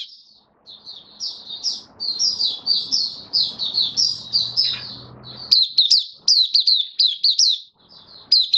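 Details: White-eye open song (buka sing), bird treated with regular deworming and supplements, 18 May 2022; a blurred, continuous high warble gives way to crisp, evenly spaced chirp bursts, light room hum underneath.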